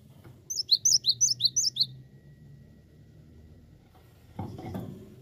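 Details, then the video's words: Cinereous tit, called gelatik batu, singing a fast series of about seven high, sharp two-note chirps over roughly one and a half seconds, then quiet with a brief rustle near the end. "Awas Gelatik Batu anda Ikut Gacor"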